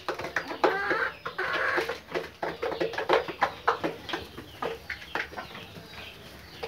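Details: Pakistani Fayoumi chickens, daily egg layers, cluck and squawk in quick, irregular bursts, several short notes each second, with scuffling and a broadband hiss behind.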